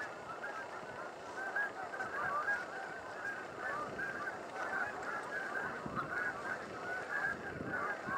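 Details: Canada geese, thousands strong, call along the Salmon River near Truro in late March; dense overlapping honks form a continuous chorus with no pause.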